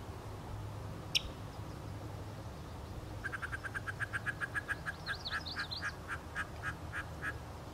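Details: Yellow-breasted chat at Beech Hill Preserve, Rockport, Maine, on 9 June 2013: one sharp click, then a fast run of about twenty short, harsh, nasal notes at an even pitch, broken midway by a brief rising-and-falling whistled phrase, over low background rumble.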